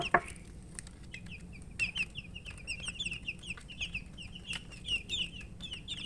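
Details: A group of coloured poultry chicks peeps for drinking water while eating. A loud knock opens the sound, then a steady stream of bright, high chirps follows, each a short downward-sliding note, many chicks overlapping.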